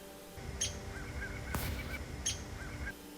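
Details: Downy Woodpecker, likely alarmed by the nearby observer, gives two sharp high peek notes nearly two seconds apart, with soft slurred notes from another bird and low background hum; first day of a 2024 birding big year.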